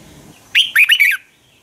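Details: Red-whiskered bulbul morning song used to train fighting birds: one brisk phrase of four clear, swooping whistles, the final one falling, with slight low rumble beforehand.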